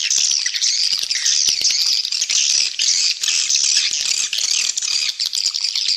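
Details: Calls of swiftlets used as a lure to attract them and build the population: continuous, shrill, chattering twitters in a dense high band, with brief dips in volume.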